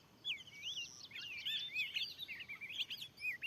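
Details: Oriental magpie-robin, wild and very fierce, responding to a lure in a freshly set-up field: wavering whistled notes, then a dense burst of chattering chips and slurred whistles.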